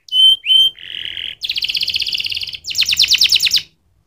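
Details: Canary song opening with two clear whistled notes, then a lower buzzy roll and two fast rattling trills of repeated high notes.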